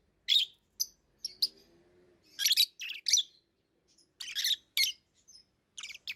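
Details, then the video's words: Pet lovebirds chatter in irregular high, harsh chirps, some single and some in tight clusters, with short pauses between groups. "Love birds Sounds | lovebirds chirping sounds"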